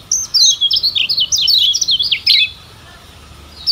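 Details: Tutor song of the lemon-bellied white-eye, kecial kuning of Lombok: a continuous two-second run of bright, high zigzagging chirps, rapid and twittery, followed by quiet.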